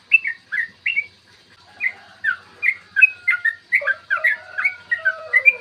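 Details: Yellow-vented bulbul song in the long ropel style, aimed at goading birds to sing and fight: a few spaced bubbly notes, then a quickening run of liquid whistles with lower drawn-out slurs.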